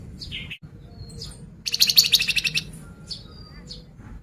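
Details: Sunda pied fantail song played as a lure to get birds singing: scattered high whistled notes and a dense burst of rapid chattering chips in the middle, over a steady low background hum.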